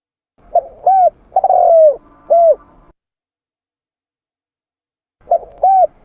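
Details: Spotted dove (tekukur) cooing, used as a lure recording: a phrase of soft hollow notes with one long sliding coo, a pause of about two seconds, then two more short coos.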